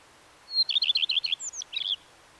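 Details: Song of a Common redstart: a high opening note, a fast string of bright repeated double notes, then a few scratchy twittered notes to close. Background quiet.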